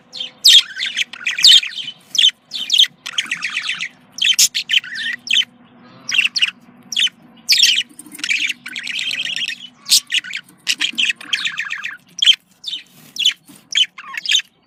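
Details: Budgerigar female and male mating sounds from pet birds, used to prompt breeding; long stretch of lively chattering warble, buzzy chirps and squawks in bursts, steady low hum underneath.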